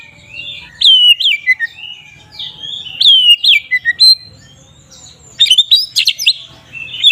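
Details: Ngeplong song of a magpie-robin (kacer), played to make other magpie-robins emotional; bursts of descending whistled slurs about twice per second, a pause, then squawky harsher notes and high chirps.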